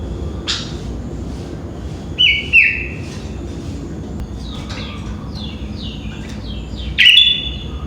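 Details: Sooty-headed bulbul singing in the morning around five o'clock; a few short whistled notes, one at about two seconds and a bright downslurred phrase near the end, over a steady low background hum.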